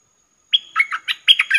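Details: Trapping lure sound of a streak-eared bulbul: a brief thin note followed by lively, bubbly chirps in quick succession, rising and falling, with a faint steady electronic hum.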